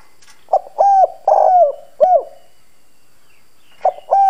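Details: Decoy spotted dove with a hoarse country-style voice giving forceful lure coos to provoke wild doves: a cluster of short and drawn-out husky hoots, a pause of over a second, then two more coos starting up.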